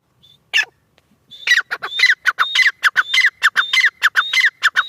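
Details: After a lone whistle and a single harsh note, a teetar francolin breaks into a steady string of gritty, clicking phrases with whistled accents, repeating quickly until the end.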